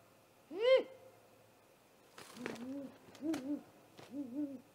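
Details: During a great horned owl's attack on a great gray owl at the nest, recorded by a live nest camera after midnight, 30 March 2018: one sharp rising upslurred cry, then bumps and knocks and three low wavering hoots.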